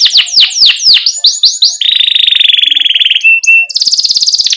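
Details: Canary singing in a lively, continuous style with pauses, used to prompt young canaries to sing: fast falling chirps, a long buzzy trill, a brief high whistle, then a bright rapid trill.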